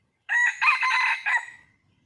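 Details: Wild red junglefowl, given as a female calling for a male: one loud, harsh crow of four joined syllables lasting about a second and a half, ending in a drawn-out tail, with no other sounds.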